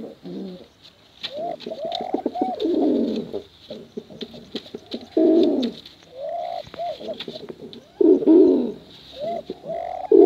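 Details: Male and female pigeons cooing for contest, used to lure young pigeons; several overlapping low rolling coos with rising-falling hoots, in bursts separated by short pauses, faint clicks in the background.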